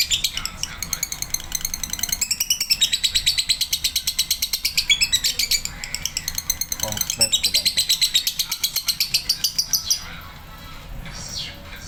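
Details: Continuous rapid chirping from a male lovebird, high and scratchy with brief dips, pouring out for about ten seconds before giving way to quieter, softer sounds at the end.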